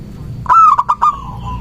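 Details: Local zebra dove in full voice, used as a lure to draw doves and provoke rivals into answering. A brief hoarse coo opens with a longer note, then breaks into quick stuttering notes that trail off, over faint low background hum.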